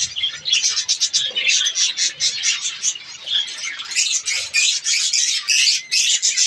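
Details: Budgerigars in a breeding colony produce a rapid, pulsing chatter of high chirps and scratchy warbles. Many birds call at once, with bursts coming in quick, uneven waves.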